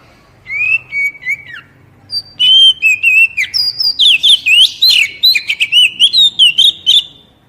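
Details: Captive-stimulation song of the Oriental magpie-robin (kacer): a downslurred whistled phrase, a short pause, then a long lively run of rich whistles, trills and chips rising in pitch, with a faint low hum behind.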